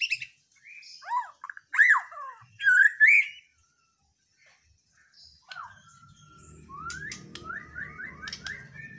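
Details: White-rumped shama, a bird from Borneo or Nias, in loud full song: varied rich whistled phrases with sweeping rises and falls, a pause, then a rapid series of rising notes over a low background rumble.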